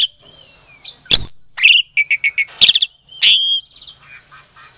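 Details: Asian pied starling bred in captivity in Klaten, Indonesia, used as a provoking lure to make quiet starlings reply: fluty whistles broken by loud harsh shrieks, a fast series of short clicking notes, then more ringing whistles.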